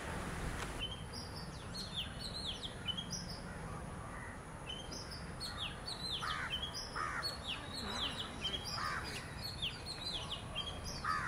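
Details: Oriental magpie-robin, one of a visiting pair, sings a steady run of varied clear whistles and sharp chirps, possibly imitating sounds around it, with other bird calls and a constant low rumble underneath.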